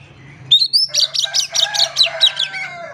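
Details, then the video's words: Lively Oriental magpie-robin song to coax silent birds: an ascending whistle followed by a fast string of repeated buzzy-edged notes, with a steady low hum underneath. "PANCINGAN KACER GACOR. KACER DIAM MALAS BUNYI COBA PANCNG DENGAN KACER INI"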